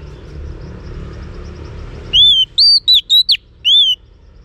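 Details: Female Oriental magpie-robin calling to excite males: a clear whistled phrase of a long arched note and three quick slurred whistles, then one more long arched whistle, after a stretch of faint hum.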